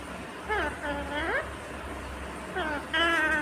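A rose-ringed parakeet talks in short, nasal, speech-like phrases with swooping pitch, three bursts over a few seconds, above a low steady hum.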